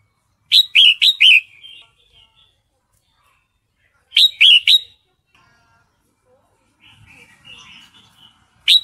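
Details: Female sooty-headed bulbul in breeding condition calling to a male: short bursts of three or four bright, clipped chirps, repeated about every three and a half seconds, with quiet gaps and a soft warble between bursts.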